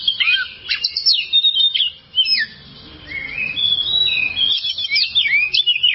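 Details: Oriental magpie-robin in a long tutor recording for caged birds: jerky phrases of sharp whistles and downslurs, a brief lull near the middle, then a steady stream of varied twittering notes and trills.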